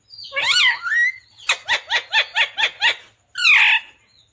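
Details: Talking Indian ringneck parakeet: a wavering spoken-sounding phrase, then a rapid string of about eight clipped, evenly spaced syllables, closing with a raspy squawk.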